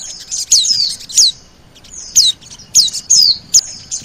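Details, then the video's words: Oriental white-eye lure call: thin, very high whistled notes sliding steeply downward, given singly and in pairs with short pauses. "SUARA PIKAT BURUNG PLECI DAN SOGON"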